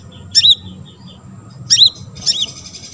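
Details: Olive-backed sunbird, a lively caged singer used to provoke other sunbirds to sing, giving three short high chirped phrases, each a quick down-and-up sweep, separated by pauses over a low background hum.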